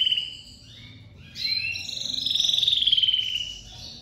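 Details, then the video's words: Loud song of a crested lavandeira domestic canary finishing its moult: a high whistled phrase, a short pause, then a fast rattling trill with dense rapid pulses that swells and fades, faint background hum throughout. "Canário doméstico lavandeira de topete saindo de muda e cantando muito forte"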